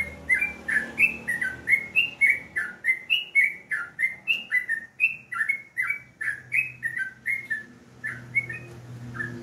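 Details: Continuous morning song of a yellow-vented bulbul: dense, cheerful chatter of short whistled notes swinging up and down, repeated at a fast, slightly uneven pace, with faint low background noise.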